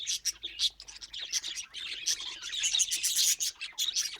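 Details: Parrots calling in a natural setting: dense, overlapping high chirps and scratchy squawks in continuous chatter, with no pauses.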